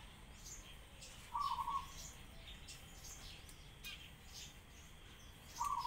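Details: Pigeon cries heard among sparrows: one short, level, slightly buzzy mid-pitched note, a quiet stretch of faint chirping, then a second cry starting just as the recording ends.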